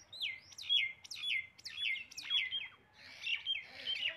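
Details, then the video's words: Common myna (Acridotheres tristis) gives a run of loud, slurred descending whistles, about two per second, with harsher chattering notes mixed in toward the end. "Common Myna Bird Sound"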